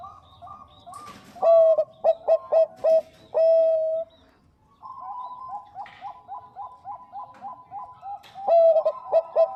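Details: Zebra dove, Bangkok perkutut type, female calling the male: loud clear cooing notes, a short stutter of four or five coos then a long held coo, followed by a fainter dove answering with rapid repeated coos.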